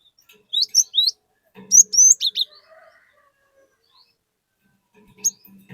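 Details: Cinereous tit song used to lure another tit into singing: two short groups of high, down-slurred whistles, with a faint low hum and soft background chatter.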